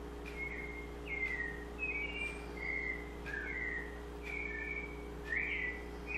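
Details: White-necked thrush singing a slow series of short, slurred whistled phrases, each dipping or rising, about one per second, over a steady low electrical hum.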